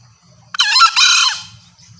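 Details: Green junglefowl female voice used to attract males, called loud and clear; one hoarse, buzzy call split into two joined parts, roughly three-quarters of a second long, between stretches of soft low-pitched background noise.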